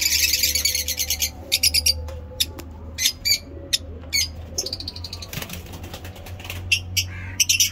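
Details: Lovebirds chirping on a fine-weather day in Peshawar, Pakistan, giving scattered sharp, high chirps and short bursts of twittering, with a low background hum.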